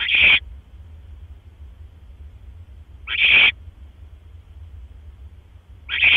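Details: Barn owl at the nest around 1:09 AM on 12 October 2015 as the male delivers another mouse; short harsh hissing screeches, about half a second each, come roughly every three seconds over a steady low hum.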